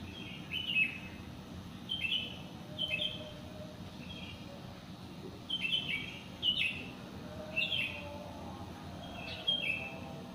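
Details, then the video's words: Wild bird singing after the dawn prayer in a housing complex, short bright chirped phrases around the upper-middle register repeated every second or so, with a steady low background hum. "SUARA BURUNG"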